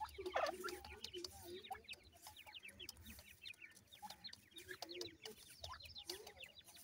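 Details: Grey francolin chicks feed with continuous high, thin, rising peeps from many birds. A louder noisy burst comes at the start, and soft lower chatter sounds throughout.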